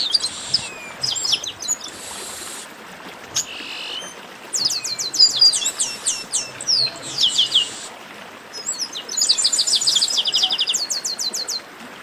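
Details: Group chorus of chestnut-capped blackbirds, called a baderna: bursts of rapid, high clicking chirps and buzzy notes, with rising activity toward a dense twittering finish.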